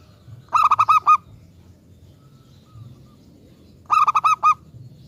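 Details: Local zebra dove singing as a lure for other doves: two bouts of five quick, hollow cooing notes about three seconds apart, the final note drawn out. Quiet background.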